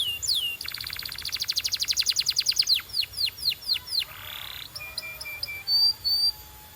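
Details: Singing canary, training song: a falling whistle opens a long rapid trill that slows into separate downward sweeps, followed by a buzzy note and a few short flat chips.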